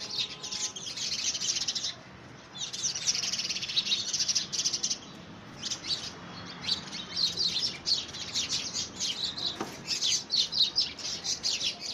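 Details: House sparrows fighting over a nest box in early February, squabbling for possession; dense bursts of shrill chirps and chatter come in waves with short pauses, several birds calling at once.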